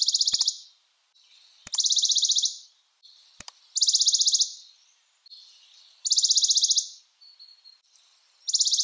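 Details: Western Bonelli's warbler delivering five quick dry trills of high, evenly repeated notes, each about a second long and spaced over a second apart, with a few sharp clicks early on.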